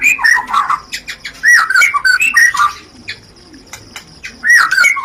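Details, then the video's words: White-rumped shama rencetan song meant to spur mating: quick bursts of twisting chirps and whistles in two rapid flurries separated by a quieter pause. "pancingan Suara Rencetan Ini Ampuh Membakar Birahi Murai"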